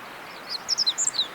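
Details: Meadow bunting in spring snow on a walk in Kita-Harima, Hyogo, Japan, giving a quick series of thin, high chips and short twitters, about six notes in under a second, over faint background hiss.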